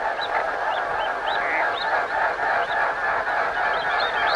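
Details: Six mute swans, from a river where a pair had cygnets, taking flight: their wings make a steady, throbbing whoosh about three beats a second, with a faint rising musical whine on each stroke.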